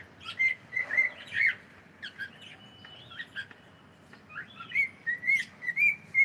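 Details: Household cockatiel chattering good morning in a quick string of short chirps and whistled syllables, some level and some swooping, briefly pausing mid-phrase before resuming faster.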